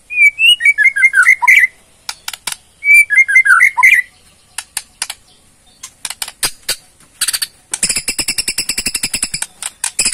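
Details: Bornean white-rumped shama with ketrekan and varied song: two phrases of tumbling slurred whistles, then scattered clicks building into a long fast rattle of dry ticks.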